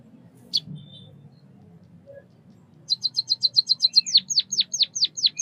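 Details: One high chirp, then a quiet gap, before a white-headed munia launches into rapid high ticks that turn into loud, downward-sweeping whistled notes.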